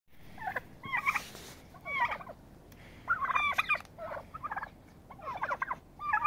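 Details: Turkeys fighting to establish dominance and a pecking order; loud bursts of gobbling and warbling calls in clusters, with short pauses between bursts.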